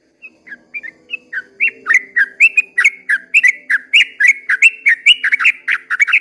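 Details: Sooty-headed bulbul song at dawn in the long 'ropel' style: begins with a few sparse, quiet whistles, then builds into a loud, rapid stream of bubbly slurred notes, four or so each second.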